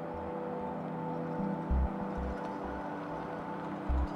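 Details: A steady low mechanical drone with humming tones and soft repeated thumps, and no animal voice anywhere.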